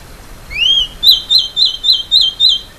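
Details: Masked gnatcatcher (Polioptila dumicola), a small songbird of Argentina, Bolivia, Brazil, Paraguay and Uruguay, sings a rising slurred whistle followed by six quick clear wavering notes at high pitch, evenly spaced.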